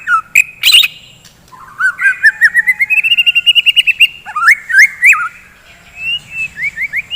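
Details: Morning song of a white-rumped shama, a fighting bird: a rising series of evenly repeated whistled notes, then looping slurred whistles and short upward flicks, with a few harsh clicks at the start.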